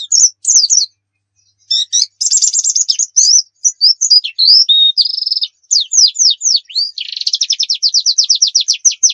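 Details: 'Nembak' white-eye song recorded as a tutor and lure: varied high chirps and buzzy trills, a short pause, then sweeping notes building into a fast, dense trill.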